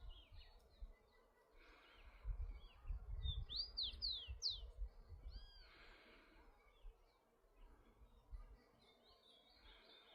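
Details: Rufous-collared sparrow singing freely in nature: a quick run of four or five sharp, steeply slurred high whistles near the middle, with soft scattered chips around it over steady low rumbling background noise.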